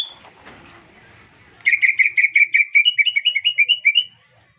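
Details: Greater green leafbird, newly bought, bursting into song after being whistled at: after a quiet start, a fast steady string of about fifteen sharp, bright chirps, the final notes slurring slightly higher.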